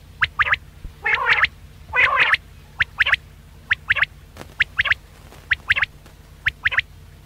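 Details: Quail calls played as a hunting lure: short sharp paired notes repeated about once a second, with two longer nasal, harmonic bursts early on, over a low steady hum.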